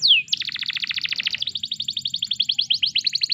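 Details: Training song of a canary, played to stimulate other canaries to sing: a bright downward slur, then a fast rolling trill that shifts into a higher, quicker run of repeated notes.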